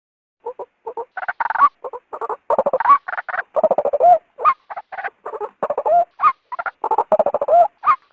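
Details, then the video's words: Female white-breasted waterhen calling to lure a male out of its habitat: rapid bursts of harsh, croaking, nasal notes, some rising at the end, repeated in chaotic runs with brief gaps. "suara burung ruak betina"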